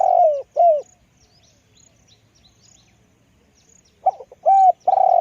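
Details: Decoy spotted dove with a deep voice: two falling coos open, then a long silence before the phrase restarts with a stutter and sustained coos at the end.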